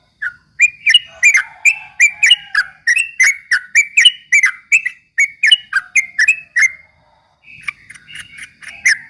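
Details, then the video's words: Straw-headed bulbul singing as a lure to provoke rivals: a long, steady stream of quick, ringing, clicky notes, briefly broken before resuming. "kicau suara trucuk ropel memancing emosi lawan"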